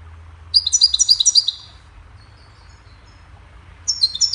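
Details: Cheerful goldfinch chirping, offered as a model for teaching songbirds: a fast tinkling burst of high repeated twitters, a quiet pause of about two seconds, then another bright twittering phrase begins.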